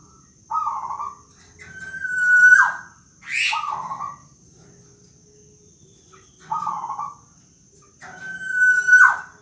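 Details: Black-naped oriole, a local bird in full voice, repeating its whining call: nasal buzzy notes alternate with drawn-out whistled slurs that end in a harsh downward rasp, the phrase recurring about every four seconds.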